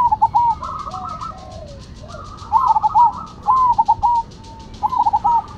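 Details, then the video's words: Zebra doves, Cemani and Silver varieties, exchanging rolling coo phrases, one bird's quavering notes overlapping the other's steady coos, over a rapid high ticking in the background. "Perkutut Cemani Gacor Vs Silver Gacor"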